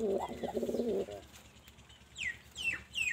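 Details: Pigeon giving a low, throaty, quavering coo lasting about a second, followed by a few thin, high downward chirps against background noise.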